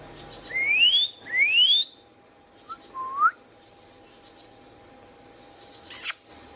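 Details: Indian ringneck parakeet in captivity whistling two rising glides in succession, a brief lower upslurred note, and one loud screechy squawk later on, over a steady electrical hum.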